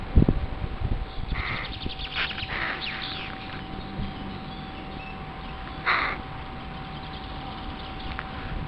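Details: Wild crow family in its home territory as construction noise dies down, keeping contact with a familiar person while the curious young approach; harsh, raspy caws in a cluster early on and once more later, over a steady low hum.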